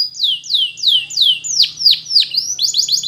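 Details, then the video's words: Belgian canary singing a training song for young birds: a series of high, slurred descending whistles, about three each second, then quicker rolling notes toward the end, with a faint low hum beneath. "Belgian Canary Training For Preschool Canaries Sing Diligently"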